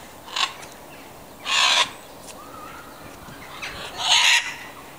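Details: Macaw at the Welsh Mountain Zoo gives harsh, raspy squawks in three short bursts a second or two apart, with a faint thin whistle in between.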